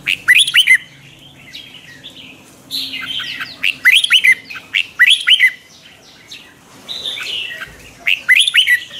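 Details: Morning training song of a red-whiskered bulbul, a twisting voice used as a lure bird for training others; short clusters of rising and falling whistles come in spaced phrases with quiet gaps between them.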